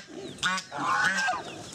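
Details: Geese going after a wild boar: a short harsh honk, then a longer drawn-out nasal honk with a slight rise, over faint background chatter.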